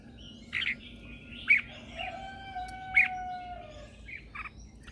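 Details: Morning song of a red-whiskered bulbul kept as a lure bird to call others: a few loud, abrupt whistled notes about a second apart, with a long steady tone and soft chirping behind.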